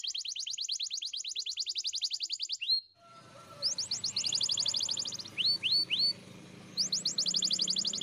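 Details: Spanish Timbrado canary training song: a steady metallic trill of rapid even notes, a short break with soft background noise, then renewed trills broken by three separate upward-curving whistles.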